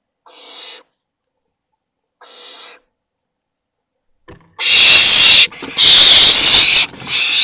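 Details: Barn owl at a nest site in Théding, filmed by nest camera, hissing: two brief, breathy rasps a couple of seconds apart, then long, loud, harsh screeching hisses back to back.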